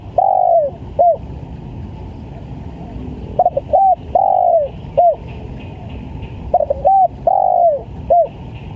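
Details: Lively spotted dove used as a trapping lure, repeating its coo phrase three times: stuttered double note, short coo, long drawn-out coo falling in pitch, and a clipped final coo, about every three seconds, over a low hum.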